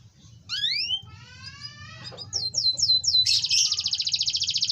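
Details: A canary sings as bait to prompt other canaries: opening rising whistles and thin descending slurs, then quick repeated upslurred notes leading into a dense, loud rolling trill, with low rumbling noise beneath.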